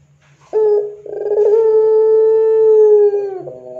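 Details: Puter pelung dove recorded as a lure for training other doves: a short rough start, then a very long, smooth, level coo held for about two and a half seconds, ending with a brief lower tail.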